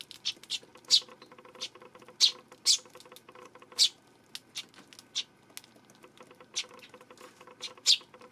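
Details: Eurasian tree sparrow recorded on 12 September: sharp, high, short chirps at irregular intervals, some louder and some softer, against a faint steady background hum.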